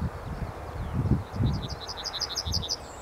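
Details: Yellowhammer song: a quick run of about a dozen short, bright repeated notes, rising slightly and speeding along over two seconds, with low rumbling wind or handling noise and soft thumps underneath.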